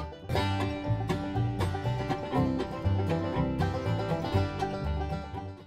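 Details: Only plucked banjo and guitar music in a bright bluegrass style is heard, with no animal voice.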